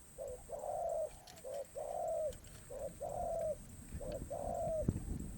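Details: Spotted dove cooing in the karom pa roi song style: a regular series of low phrases, each a short lead note then a long, slightly falling coo, with some low rumbling noise.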